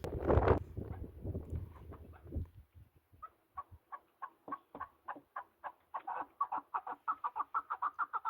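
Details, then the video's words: Partridges in mountain country: handling noise at the start, then a series of short, harsh notes that build in speed and loudness into a rapid chuckling run. "Listen to the sound of partridges and wild birds in the mountains"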